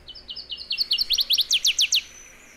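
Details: A migratory northern waterthrush at Sonso Lagoon near Buga, Valle del Cauca, Colombia, sings a loud, ringing run of about a dozen sharp, high chips that speed up and grow emphatic before ending abruptly.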